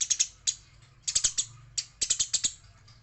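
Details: Eurasian tree sparrow described as female and fighting: irregular groups of sharp, high chips, some in quick triplets, with uneven pauses and a faint low hum.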